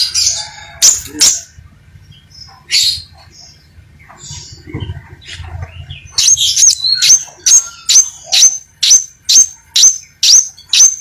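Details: Crimson sunbird singing vigorously, scattered chirps at first, then a steady run of about ten sharp, very high upslurred notes, roughly two per second, with a low hum behind.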